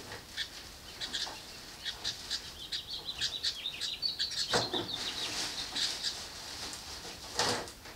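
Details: Baby house wrens in their birdbox, fed by both parents, beg noisily: thin, scratchy high squeaks in quick succession, merging into a loud wheezy burst midway, with a soft thump near the end.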